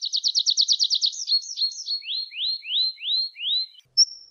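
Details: Song of a tree pipit: a quick stuttering trill of about a dozen notes, a few short wavering slurs, then four slow, loud, rising whistled notes and a final thin piping note.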